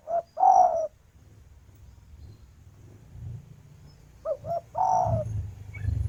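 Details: Female spotted dove calling the male, recorded outdoors: short coo followed by a long falling coo, then after a gap two quick clipped notes and a drawn-out descending coo, over a steady low rumble.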